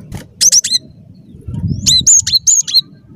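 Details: Cinereous tit singing strongly, a recording used to lure birds for trapping: two clusters of high, ringing whistled notes with a downward slur, a low murmur between them.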